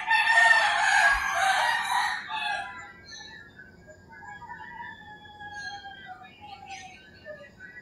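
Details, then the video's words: Rooster crowing in the early morning in rural Philippines, a loud harsh broadband crow in the first two seconds, then fainter distant crows and thin whistled notes of other birds. "Crowing Roosters"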